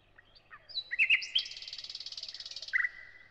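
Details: Thrush nightingale singing: a few scattered clicks and short whistles, then a long rapid rattling, buzzy trill, closing with a lower clear whistled note.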